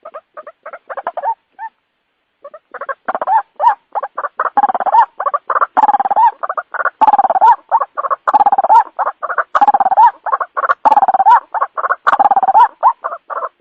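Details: Nighttime lure call of the white-breasted waterhen: a short run of croaks, a silent gap of about a second, then steady, rhythmic, raucous croaking that continues without a break to the end.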